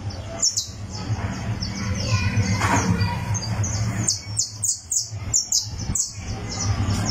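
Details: Criollo canary warming up its song on a tournament perch: irregular high, downslurred chirps that grow into a faster series toward the end, over a steady low hum.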